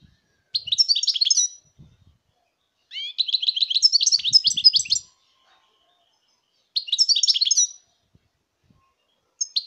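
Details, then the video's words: European goldfinch song recorded in 2019: bursts of rapid, tinkling, twittering notes about a second or two long, separated by short silences, with faint low thumps in the background. "chant chardonneret"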